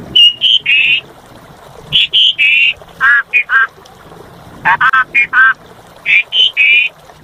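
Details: Asian pied starling in vigorous song (gacor): groups of harsh, nasal, buzzy notes in short clusters of three or four, separated by brief pauses.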